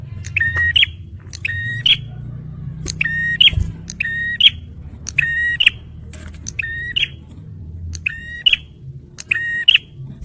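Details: Male bar-winged prinia, used as a lure and to prompt stressed birds: a click, then a flat, steady whistle ending in a sharp upturned note, repeated about once a second over a low rumbling background hum.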